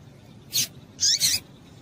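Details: Female double-collared seedeater calling, a call used to excite males into singing: two brief, very high, sharp chips about half a second apart over a quiet background.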